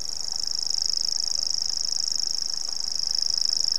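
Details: Grasshopper warbler singing in North Antrim: a high, dry, insect-like reel held steadily at one pitch, very fast even ticking without a break, over faint low background rumble.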